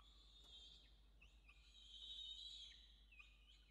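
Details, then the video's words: Peregrine falcon family at a nest in Orange, Australia, evening feeding on 5 November 2021; long, high, strained screeching notes are held and waver, broken by short sharper calls, over faint steady hum. "Sokoły wędrowne - Diamond & Xavier & Yurruga - Wieczorne karmienia"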